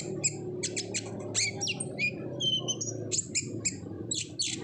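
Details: Ngobra-style olive-backed sunbird song meant to get untrained birds singing: bright high chirps, downslurred whistles and short trills, with a steady low hum behind.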